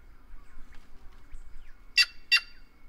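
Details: After a quiet stretch with faint chirps, a White-naped jay bursts out with two loud, rasping calls close together near the end.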